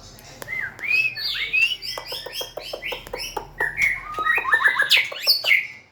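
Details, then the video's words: A white-rumped shama (Copsychus malabaricus) sings a rich, fast, varied and continuous medley of clear whistles, slurred notes and sharp chips, with a busy run of clicking notes. "Big Sound Birds Singing Chirping"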